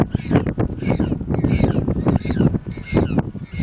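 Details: Penguin chicks at Punta Tombo, Argentina, screaming to their mother for food: harsh, honking harmonic cries repeated roughly every half second, overlapping one another, over steady low rumbling wind noise.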